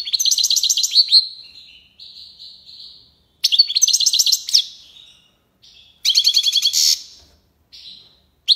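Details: European goldfinch singing the tiwawati style in Algiers, Algeria: repeated fast, bright trilled phrases with buzzy, nasal middle notes and short gaps between bursts.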